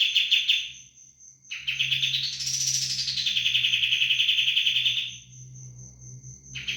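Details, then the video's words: A sooty-headed bulbul delivers noisy 'roll bren' rolls, continuous rapid buzzing trills that arch upward in pitch and fall back, separated by short gaps, over a soft low hum and a repeated high tone. "kapas tembak roll bren brisik sekali"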